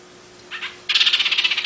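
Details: Long-tailed paradise whydah, a small long-tailed bird with a distinctive chattering voice: a short buzzy note, then a rapid even rattle of high chirps, about twelve in under a second.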